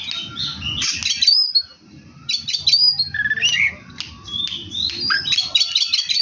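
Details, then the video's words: Energetic oriental magpie-robin song, a busy kacer with many fill-ins: dense bursts of harsh, scratchy notes mixed with quick whistles and twitters, with a low hum running throughout. "burung Kacer gacor cetekan isian banyak nyiblek"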